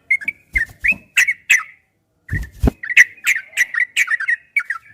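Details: Yellow-vented bulbul (trucukan) in a master training recording of long 'ropel' style song: bubbly, liquid whistled notes near one pitch, delivered in quick bursts with a brief pause midway, punctuated by dull knocking thumps.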